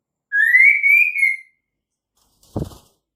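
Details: Female white-rumped shama, its call used to coax males into singing: one steadily rising, pure whistled note held for about a second, then a single dull low thump.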